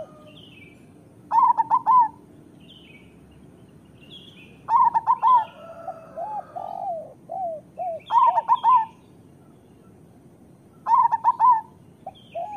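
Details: Local zebra dove singing, used as master song to train lazy or moulting doves: loud phrases of four to five quick, bubbling, bent coos repeated about every three seconds, with softer cooing and a faint trill from other doves between.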